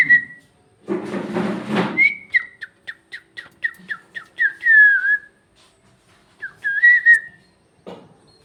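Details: Parrot that talks in Bhojpuri: after a noisy harsh outburst it utters a quick string of about ten short clipped whistled syllables, a longer falling whistle, then a few more bent notes and a final rasp.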